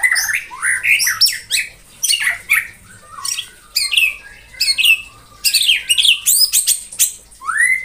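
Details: White-rumped shama singing in the morning, captive, to stir up rivals: loud bursts of varied whistles, upward and downward sweeps and harsh squawky notes, separated by brief pauses.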